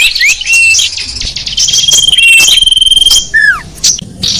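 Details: Small birds in a sapu jagat lure recording for attracting wild small birds; high sustained whistles overlap a fast trill, ending with a clear downward slurred note and brief chirps.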